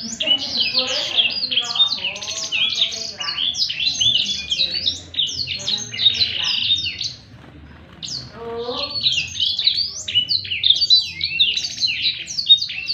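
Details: Blackthroat, a kept songbird, singing in the energetic 'gacor ngerek' style used as a tutor recording for other birds: dense, rapid run of high, sharp chirps and slurred whistles, briefly pausing near the middle before resuming.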